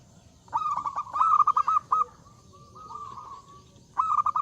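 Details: Zebra dove in full loud song, challenging rivals to respond: a long fast series of clipped, bubbling coos, a softer drawn-out trill from another dove, then the loud stuttering phrase again.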